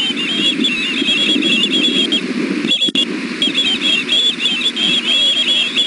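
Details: Ospreys at a nest, all three calling for food in the evening, one young biting at its mother: rapid series of high, thin, chirping whistles, steady and overlapping, with a brief break midway and a low rumbling background hum.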